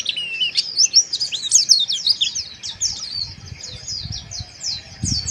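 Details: Harsh chirping of a Mountain white-eye, a kept bird, played to raise breeding arousal: a dense stream of high, quick, scratchy twittering notes, busiest early then thinning into separate chirps about eighty a minute, with faint low tapping.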